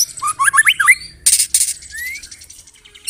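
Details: White-rumped shama singing with mimicked canary and cililin phrases: quick rising and falling whistles, then loud harsh buzzy bursts and a single long upslurred whistle, over a faint low hum.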